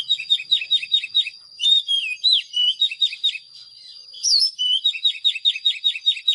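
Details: Oriental magpie-robin singing rapid rhythmic series of short chirped notes, broken by longer whistled slurs, with a thin steady high tone throughout.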